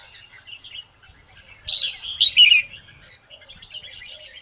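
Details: Morning song of a red-whiskered bulbul, used for training other bulbuls. After quiet warbling, a short, loud cluster of sharp whistled notes comes near two seconds, then the background chatter goes on.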